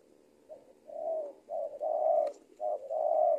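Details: Spotted dove kept as a trained lure bird in Indonesia gives loud, mellow coos: a soft short note, then long drawn notes alternating with brief clipped ones, in close succession.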